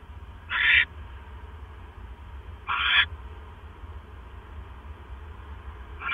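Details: Owl bringing a mouse to its nest at 9:40 PM on 12 October 2015. Softer breathy screeches, about two seconds apart, with a third starting at the end, set against a noisy low hum.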